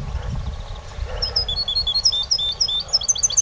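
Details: A competition European goldfinch sings a quick, tinkling run of high, bright twittering notes, about three or four per second, over a low background rumble.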